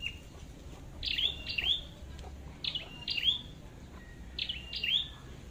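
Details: Flowerpecker heard at a trapping site in Vietnam, giving sharp, high chirps in quick pairs, each note sliding down then up, with pairs repeating every second or two over a low background hum.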